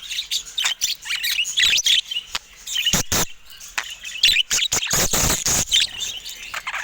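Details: Caged budgerigars attacking a camera: dense, fast warbling chatter of high chirps and squeaks, with sharp broadband clicks and taps from pecking at the lens scattered throughout.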